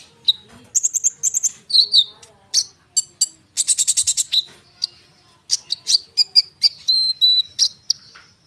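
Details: Common iora in lively form, delivering a dense song meant to make young sunbirds respond. Bursts of rapid high chattering notes mix with clear whistled tones and slurs, in busy phrases broken by short pauses.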